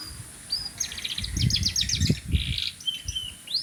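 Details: Canary in song, delivering fast buzzy trills and whistled sweeps at a brisk pace, with low knocking noises in the background.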